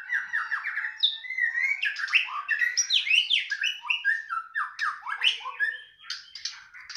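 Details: White-rumped shama in a cage, singing when the cage cover is lifted: loud, continuous rich song of rapid whistled slurs and sweeping notes, shifting pitch constantly, with a few harsher squawky notes toward the end.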